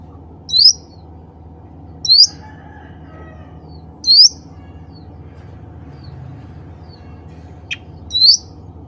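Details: Cucak ranting bulbul calling to others of its kind: four sharp, rising whistled notes, each sweeping upward and ending in a brief trill, spaced about 1.5 seconds apart, plus one faint high click, over a steady low hum.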